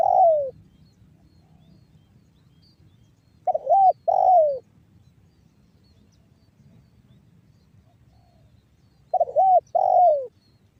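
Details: Spotted dove in 'banggo bocor' style from northern Cirebon, West Java, a lure for getting other doves to coo: paired hooked notes then a falling coo, repeated with gaps of about five seconds, near-silent surroundings.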